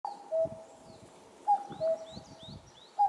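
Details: Common Cuckoo (Cuculus canorus) on a highland in May 2024, giving its falling two-note 'cuck-oo' about every one and a half seconds, with faint high chirps from other birds behind.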